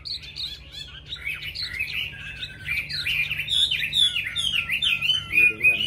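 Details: Chinese hwamei in rapid, varied song: dense, slurred whistles and trills delivered almost without pause, growing louder toward the end, with a soft low hum behind.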